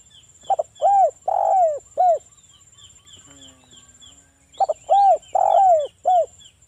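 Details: Local spotted dove song played to lure other doves into replying: a rhythmic phrase of short and drawn-out low coos, a quiet gap, then the same phrase repeated, over a faint high whine.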